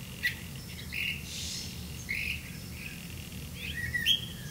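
Grey-capped greenfinch giving short, bright chirping notes, about four in as many seconds, over a steady low rumble of background noise.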